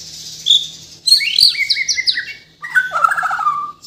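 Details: Song of a white-rumped shama native to Kalimantan, Borneo, full of mimicked fills: a high whistle, then a loud run of stepped ringing notes ending in a warbled descending phrase.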